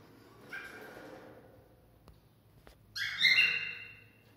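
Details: Cockatiel song meant to stimulate mating: a faint drawn-out whistle, a few soft clicks, then a louder, bright, wavering whistled phrase.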